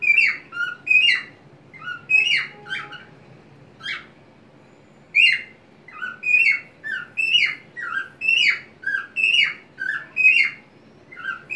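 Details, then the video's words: A pet white-faced cockatiel sings happily while swinging on a homemade swing in a small crate, with wings open and body bobbing. It gives bright, chirpy whistles with rising and falling slurs, about one a second in bursts, with short pauses. "calopsita cantando"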